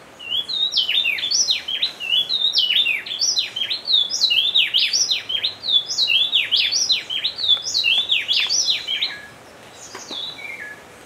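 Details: A Speckle-breasted Wren at Bioparque Bonita Farm, Dosquebradas, Risaralda, Colombia, sings a rapid, ringing string of clear whistled phrases that swoop up and down for about nine seconds, then trails off into a few softer notes.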